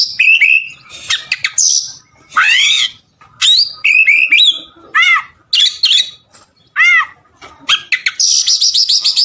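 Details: Oriental magpie-robin in full gacor song meant as filler material: rapid alternation of clear downslurred whistles, looping arched notes and noisy high rasps, loud and continuous with brief gaps, mimicry-like variety throughout.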